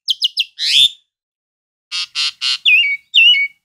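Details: Jalak suren (Asian pied starling) giving three quick clipped notes and a rising buzzy slur. After a pause come three nasal rasping notes and two wavering whistles that drop in pitch.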